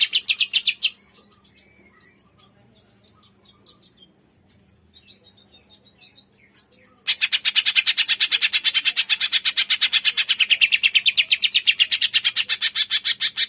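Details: Cucak ijo, or green leafbird, giving 'tembakan' bursts played to stir lazy birds into song. A short harsh burst, then scattered soft twitters for several seconds, then a sustained loud run of fast, rasping notes, roughly three each second.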